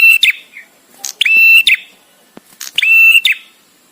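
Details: Visiting male bar-winged prinia singing, recorded for training other songbirds: sharp clicking notes leading into loud, buzzy, steady high whistles with rich overtones, two phrases about 1.5 seconds apart with brief pauses between.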